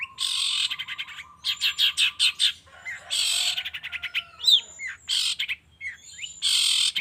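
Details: Long-tailed shrike lure recording, used in the morning to stir caged shrikes into singing: loud harsh buzzy bursts alternate with rapid chattering runs, thin high whistles and sharp rising notes, with a low steady hum beneath.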